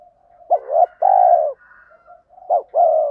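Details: Spotted dove used as a lure bird, with a 'thổ pha' voice and rapid 'thúc gù' cooing likened to a sewing machine, meant to provoke wild birds into cooing back. Two mellow two-part coos, short note then long falling one, joined by soft murmuring.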